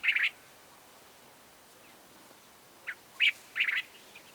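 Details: Cape bulbul, recorded for a Southern African wildlife sound library: short bright chattering notes, a burst at the start, then after a pause a brief note followed by two louder bubbly phrases; quiet background otherwise.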